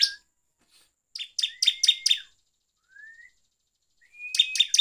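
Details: Bar-winged prinia lure song for provoking other prinias: clipped, rattling chirps in tight runs, with brief rising whistles between runs and a quiet gap in the middle.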